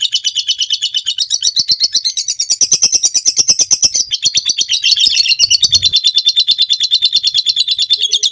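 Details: Lovebird long ngekek for training birds, a continuous fast, harsh trill of high pulses over eight seconds, pitch stepping down midway, with a brief low knock.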